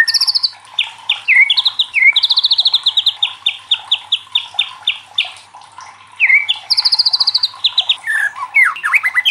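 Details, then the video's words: White-rumped shama song used to stir other shamas into singing, made of long rapid trills of high repeated notes, downslurred whistles between them, a faint steady ticking underneath. "SUARA LANTANG MURAI LAIN JADI IKUT TERTANTANG BUNYI | Pancingan murai batu bikin gacor ngeplong"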